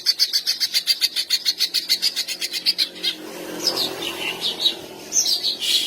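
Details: Rapid pulsing song of a greater green leafbird meant to provoke mating urge and aggression in other males: three seconds of fast, high repeated notes, then looser chirps and whistled phrases.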